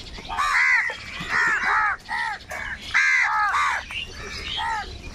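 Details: A large crowd of crows fighting over food, calling loudly: harsh, arched caws overlap one another in quick bursts, some raspy and some higher-pitched, with barely a pause between them.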